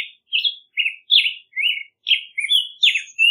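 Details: Black-headed grosbeak singing a rich, warbled phrase of short rising and falling whistled notes, about eight syllables in quick succession with brief gaps, clean and without other sounds.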